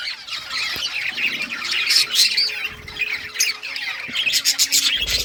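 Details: Budgerigars in rare colours chirp while playing with toys, producing a steady rapid squawking chatter with a few louder harsh notes and a faint low tone running through.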